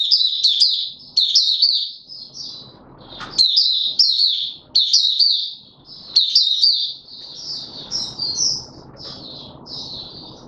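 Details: White-eye in a cage, trained for form, opening its song on 31 December 2021: lively, high, jerky twittering in repeated bursts of rapid slurred notes, with gaps of soft low rumbling between phrases.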